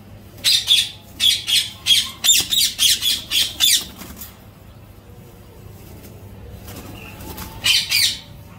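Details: Ringneck parakeet giving harsh, buzzy squawks in a rapid series of about ten bursts over three seconds, then a quiet pause with faint background noise before a final short burst of two or three squawks near the end.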